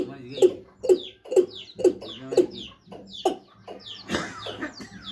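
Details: Watercock in Sylhet giving a steady run of deep, hollow clucking notes, about two each second, before the series breaks up into a rougher, noisier burst.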